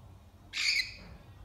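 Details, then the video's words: A rainbow lorikeet in the morning gives one harsh, grating screech, high and buzzy, lasting about a third of a second, over a quiet background. "Good morning by “Lorikeet “"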